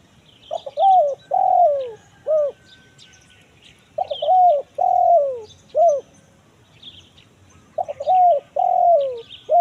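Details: Spotted dove calling in the kuk 1 mersik pattern, used to bring wild birds out in the forest: three repeated phrases of soft coos, each with a long falling coo and short end note, light chirping between.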